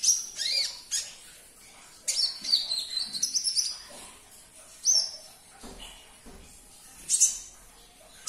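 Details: Caged-bird prompting sunbird song: high whistled slurs, some dropping in pitch, then a fast chattering run of sharp notes and a few spaced chirps.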